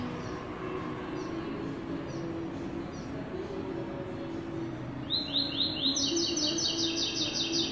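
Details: Faint, spaced high notes, then at about five seconds a white-throated seedeater bursts into the classic tuí tuí zel zel song with third note: quick slurred notes and a buzzy trill.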